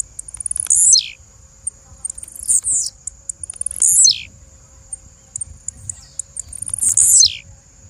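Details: Female blue-black grassquit calls: four loud, high notes, each starting with a short trill of ticks and ending in a steep downward sweep, repeated about every two seconds over a faint steady whine.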